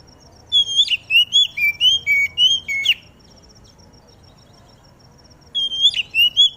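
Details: Oriental magpie-robin (kacer) singing while aired outdoors in the morning dew, used to spur other magpie-robins into song: a quick run of about nine clear, slurred whistles, a silent pause, then a fresh whistled phrase, over a faint steady high pulsing buzz.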